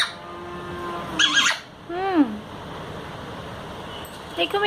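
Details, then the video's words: Parrot talking, speech in Hindi: a low steady tone, then a squeaky harmonic burst, followed by a clear falling, slurred syllable, and a brief faint squawk at the end; quiet indoor background. "Talking parrot in hindi"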